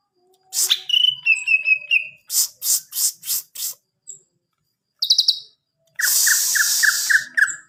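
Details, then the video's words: Greater green leafbird song: a whistled slurred note, a run of loud repeated chirps, a short trill, then a harsh rasping burst over a string of rising notes. "Burung Cucak Ijo"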